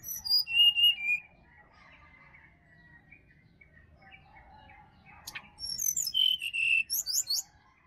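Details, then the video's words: Wild sirdadu in Bali forest, used as a morning lure for a caged bird that is slow to sing. Loud high whistled phrases slide downward at the start and again near the end, with faint softer whistles and quiet forest between. "SUARA ASLI HUTAN SRDC BALI COCOK UNTUK PANCINGAN DI PAGI HARI SRDC MALAS BUNYI"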